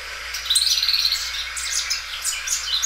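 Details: Short burst of Belgian canary song, sung loudly by a well-cared-for bird: a quick pulsed rattle, then a thin sustained whistle and scattered high chirped notes.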